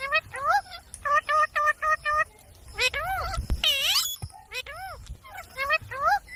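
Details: Talking parrot repeating voice-like syllables in a quick regular series, then a higher squealing burst and further bent, word-like notes.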